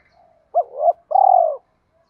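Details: Luring coo of a spotted dove in the 'Thổ Pha đồng' style for drawing wild doves in: a brief hooked note swelling into a rising coo, then one sustained, vibrating, slightly falling coo, in a quiet setting.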